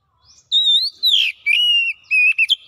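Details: Kacer, the Oriental magpie-robin, singing fast gacor song with mimicry: a long rising-and-falling whistle, a harsh downslurred note, a level whistle, then quick clipped notes.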